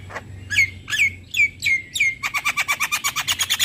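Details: Javan myna song meant to stimulate a bird to sing: five sharp, slurred whistled notes at a steady pace, then a quick trill of about fifteen rapid buzzy pulses.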